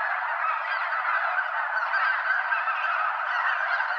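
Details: More than 200 snow geese in flight, circling several times over Limestone Bay in Wheeler National Wildlife Refuge, Alabama; continuous wall of overlapping honking calls with no pauses, evenly loud for the whole stretch.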